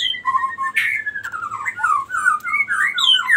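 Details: Long ngerol song of a cinereous tit, used as a lure and as tutoring material for birds. Loud, unbroken stream of whistled notes sliding down and back up, with a short harsh burst near the start.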